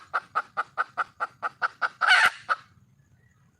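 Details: Hen red junglefowl, wild, calling for a male: about ten steady clucks roughly every quarter second, climaxing in one loud rasping squawk, then quiet.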